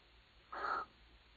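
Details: Barn owl in a nest box on a shelf, 23 April 2010, gives one short, harsh, rasping screech of about a third of a second over a faint steady hum.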